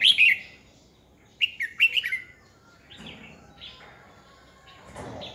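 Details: A 2020 recording of a red-whiskered bulbul used as a decoy to spur other birds into fight singing: a sharp opening phrase, then a rapid string of bright, slurred whistles, followed by softer scattered notes.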